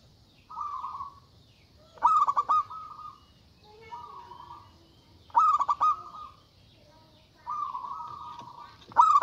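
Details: Zebra dove, a local bird, calling loudly to draw out opponents. Three rapid bursts of staccato cooing notes alternate with drawn-out, steady tones, repeating roughly every three seconds.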